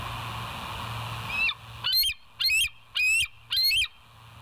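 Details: Bald eagle at the West End nest, live cam recording from 08/01/2023 at 05:18, gives a chattering series of five shrill, piping whistles rising in pitch, evenly spaced, with a constant low hum underneath.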